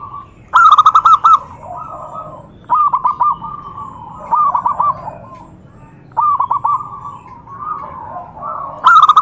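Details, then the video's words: Zebra dove calling to trigger answers from other doves. Loud rolling bursts of rapid staccato coos come every two seconds or so, alternating with softer cooing from more distant birds. "Suara perkutut Bikin EMOSI perkutut lain naik Suara Langsung Nyaut"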